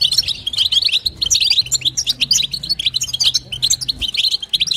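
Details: Female European goldfinch calling to excite the male, in batbata and sastasa style: dense bursts of thin, high chirps and tinkling notes, delivered quickly and almost without gaps.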